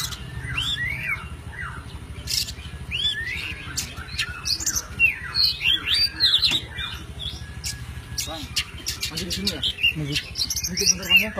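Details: White-breasted oriental magpie-robin (kacer poci) delivering 'isian alasan' forest-style song as a master for songbird training: rapid varied chirps, squawky notes and slurred whistles, many per second, with a low hum and scattered clicks.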